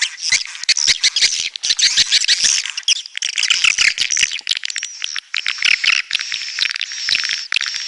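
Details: Swiftlets, red-nest type, in a dense flock chorus of rapid, harsh, high chirps and twitters, clicking bursts throughout, with a thin steady whistled tone running through the second half.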